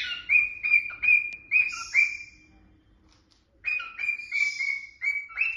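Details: A cockatiel perched above curtains happily whistles a lively song of clear, repeated notes with a few rough, raspy bursts.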